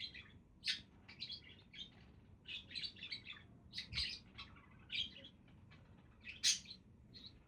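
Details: Lively budgie chatter: quick high chirps, squeaks and scratchy warbles tumble out continuously, with a few louder sharp calls standing out.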